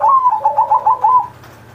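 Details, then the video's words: Zebra dove kept as a pet, singing a master phrase meant to coax other pet doves into song: a quick string of about seven soft, rolling coo pulses over just over a second, fading out. "Perkutut Masteran Manggung Gacor Mancing Burung Lain"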